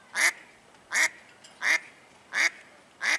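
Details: A noisy, apparently upset female Mallard swimming in a marina at Lakefront Promenade Park gives loud, harsh quacks, five in about three seconds at a steady pace, each a broad nasal burst.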